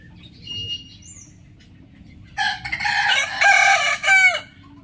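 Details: Rooster crowing in the morning after a few faint whistles from other birds: a loud, coarse crow of about two seconds, broken into pulses and ending in short, falling, drawn-out notes.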